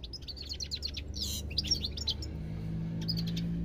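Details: European goldfinch singing: quick bursts of bright, liquid twittering notes, many sharply rising and falling, packed closely for two seconds, then a pause and a short final phrase, over a low steady hum.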